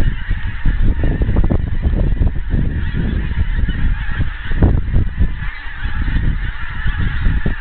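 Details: Wild geese in a huge flock over Scotland, approaching from afar; a thick chorus of honks repeats rapidly without pause, set against constant low-pitched background roar.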